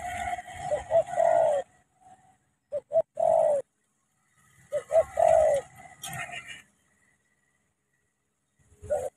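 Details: Spotted dove from Cà Mau, Vietnam, delivering two cooing phrases several seconds apart, each a few short hollow notes building into a longer mellow coo, with a light hiss and brief knocks between.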